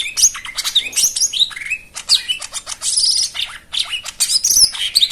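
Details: White-eye song rich in filler phrases, used to get silent birds singing: a continuous, dense jumble of high twitters, squeaks and scratchy notes with hardly a break.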